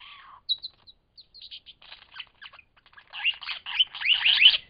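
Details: Lyrebird at Cape Liptrap Coastal Park in a mimicking medley: low slurred whistle, short high chirps and scratchy notes, building to a loud rapid run of chattering descending phrases.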